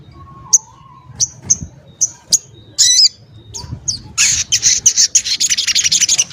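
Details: Sogon ontong, the crimson sunbird, used as a vocal model for other songbirds because of its sharp, varied voice. Thin, high ticks and chips come at irregular spacing, then build into a rapid, dense, high trill at the end.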